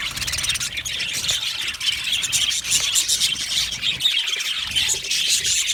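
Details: Happy budgie colony in an aviary producing a busy wall of shrill chirps, squeals and fine ticking notes from many birds, continuous throughout.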